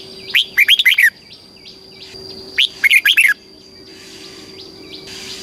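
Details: Red-whiskered bulbul, a caged bird in Thailand, in southern master-song style meant to excite and train other birds. Two quick bursts of bright warbled notes, each about a second long, repeated about two seconds apart, with a constant high whine behind.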